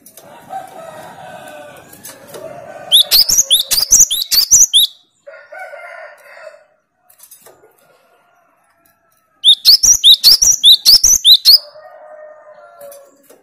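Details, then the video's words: Two fast bursts of high, upswept whistles from a cinereous tit in 'tembakan' style, used to test rivals' nerve, separated by a lower harmonic crowing-like sound and brief quiet. "Tembakan burung Gelatik Batu paling joss melatih mental lawan"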